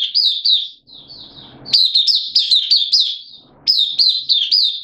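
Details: Oriental white-eye, a hobby bird in open singing, recorded 8 September 2022 while slightly off form: high chirping phrases of rapid downslurred notes, a softer quieter stretch, then renewed loud twittering bursts.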